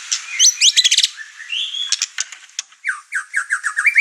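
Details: White-rumped shama unloading its repertoire in an excited mood that riles the household's other birds. A rapid chattering burst and a clear whistle lead into a string of repeated down-slurred notes.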